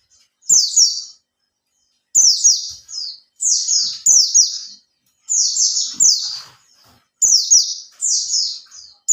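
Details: Lure song from a caged Oriental white-eye (pleci), three months in care and starting 'buka ekor': lively high twittering phrases, several chirps run together, repeated after short pauses, with light tapping and rustle.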